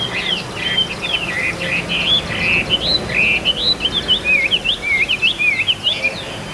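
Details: Caged Chinese hwamei pouring out a rapid, varied song of loud, clear whistled slurs and warbles, rising and falling without pause; faint background hum.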